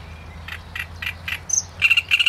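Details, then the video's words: Great reed warbler song in a short burst: soft, rasping notes every quarter second, a brief high squeak, then louder, harsh, croaking syllables in quick succession. "Trzciniak i jego śpiew"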